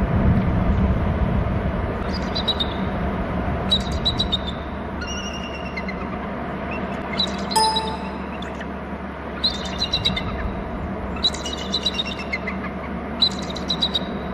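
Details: Bald eagles calling at their nest territory on Hornby Island, British Columbia, with two perched birds and one flying off: repeated high, thin chittering bursts every second or two over steady loud wind or rumbling background noise.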